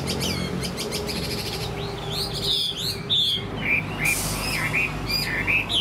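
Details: Caged Chinese hwamei, a fighting bird that fans its tail and sings well, in Vietnam, pouring out a loud, varied song of fast whistled slurs and rising and falling phrases with sharp high notes; a low hum runs underneath.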